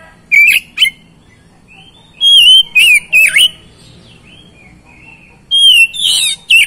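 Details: Lure song of an oriental magpie-robin for getting reluctant birds to start singing: scattered bursts of clear, sliding whistles with sharp ticking accents, separated by pauses of about a second and soft, sustained low whistles.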